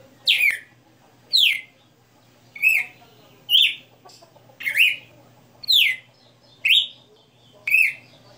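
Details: Red-cowled cardinal, a caged 60-note songster, delivering eight ringing whistles roughly one per second, each a fast downward or upward slur, with only faint humming behind.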